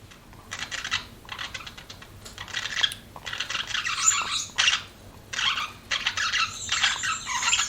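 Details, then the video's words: Budgerigars kept as pets chatter in rapid scratchy bursts of grating, buzzy notes, separated by brief gaps, growing busier in the second half. "BUDGIES CHIRPING SOUND"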